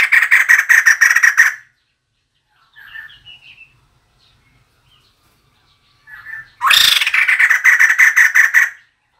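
A female white-crested laughingthrush gives two bursts of harsh, rapid chattering notes, about ten per burst, separated by softer, scattered calls.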